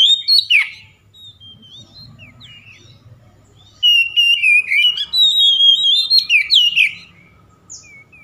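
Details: Fast provocation song of an oriental magpie-robin aimed at a rival bird: an opening burst of sharp whistles, a quiet pause with low rumble, then a lively run of high warbled and slurred whistles that ends in scattered thin notes.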